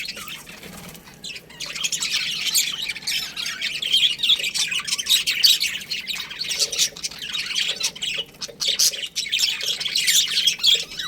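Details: Budgerigars in a colony chirping together, a dense continuous mix of short harsh squawks and quick warbling chirps overlapping throughout, with no pauses.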